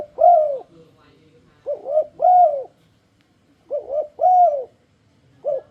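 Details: Spotted dove (tekukur) song used as a lure to make other doves sing along: repeated phrases of two short coos and a longer, louder arched coo, low and mellow, recurring about every two seconds with brief pauses between.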